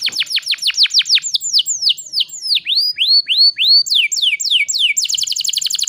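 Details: Canary in full gacor song, used as a lure recording to restart canaries that have gone quiet: rapid series of high downward-sweeping whistles that slow into looping upslurred notes, then quicken into a fast chattering trill.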